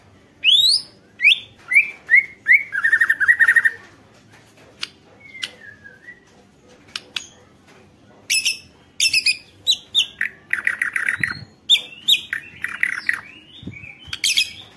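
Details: White-rumped shama in energetic song used to provoke other shamas to sing: whistled notes sweeping down from high pitch, a fast rattling trill, then bursts of sharp varied phrases and chattering notes after a short pause.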